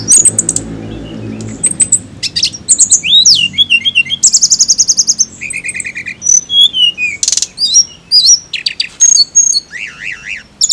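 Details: Flycatcher (tledekan) song: a rapid, varied run of high chirps, short buzzy trills and sharp whistled notes. A zigzag rising-falling phrase and a dense rattling trill appear midway. A faint low hum sits underneath at the start.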